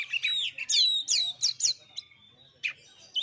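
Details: Kacer song used as a lure to provoke other birds into singing: loud varied whistles, sweeping slurs and sharp chips delivered in quick bursts, with short pauses between phrases.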